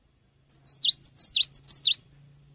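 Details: Cinereous tit in full energetic song for use as a training lure: about a second and a half of quick high phrases, each a clear whistle then two downward-swooping notes, repeated three times over a faint low hum.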